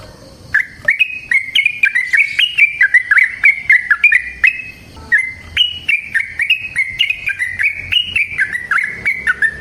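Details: Wild-sounding yellow-vented bulbul giving an extended rolling song meant to provoke other bulbuls into singing. Rapid, bubbly whistled notes step up and down in pitch in two long runs, separated by a short pause midway.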